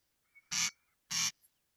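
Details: Corncrake, a secretive grassland bird, recorded in Central Asia in spring, giving two dry, rasping 'crex' notes about half a second apart, harsh and scratchy like a comb drawn over wood, over a quiet background.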